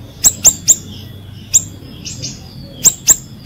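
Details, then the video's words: Ashy drongo singing, used as a lure to prompt silent captive birds of its kind to sing: sharp high chirps in quick groups of three, then a single note, a soft slurred phrase and a final pair, over low background hum. "siri siri gacor | cocok buat pancingan"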